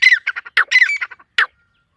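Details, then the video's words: Forest partridge gives harsh, rasping squawks in quick uneven bursts, with a final louder squawk after a short pause, then silence. "جنگل میں تیتر کی بہت خوب صورت آواز"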